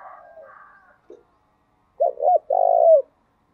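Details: Spotted dove giving a call meant to stir other doves: softer, blurred cooing fades out, then after a pause one clear phrase of two short notes and a long, throbbing coo.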